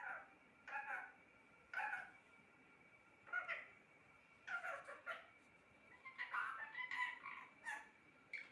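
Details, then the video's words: Pet parrot talking: faint, hoarse, speech-like phrases in short bursts spaced one to two seconds apart over a quiet hiss. "Talking parrot"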